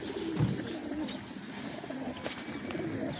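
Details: A flock of fancy pigeons at a Qatar pigeon farm: a dull thump opens, followed by low, intermittent coos rising and falling, with light clicks and steady hiss behind.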